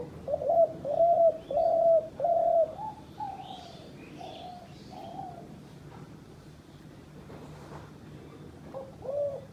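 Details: Decoy dove kept by a hunter, giving a quick series of soft repeated coos for about three seconds, then a quieter pause with faint high chirps from other birds, and another coo near the end.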